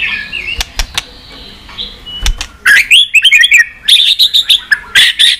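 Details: White-rumped shama's continuous song, played to rouse weak pet shamas. Faint notes and clicks at first give way to a loud, rapid sequence of bright whistled chips and trills in tight bursts.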